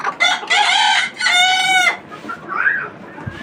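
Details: Desi chickens on a farm with twenty-nine free-range laying hens; a rooster crows loudly in two bright harmonic bursts, followed by a rising-falling squawk and quieter clucking.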